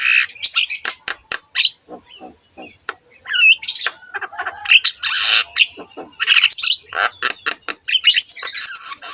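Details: Javan myna singing in a training recording for other mynas: quick clicks and low croaks, looping whistles, then long harsh chattering bursts and scratchy squawks.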